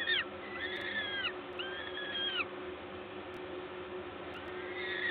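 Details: Feeding at a peregrine falcon nest at Gdańsk LOTOS, Poland, 14 May 2022, 11:07: a few long, level, then falling wailing calls in the first half, near quiet after, one faint call at the end, over a steady hum.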